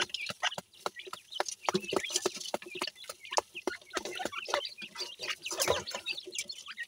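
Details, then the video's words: Young Dakhni teetar partridges during play time: short high peeps and chirps come in quick succession, over a busy background of dry clicks and scratching taps. "dakhni teetar k chozay,pheasant chicks play time"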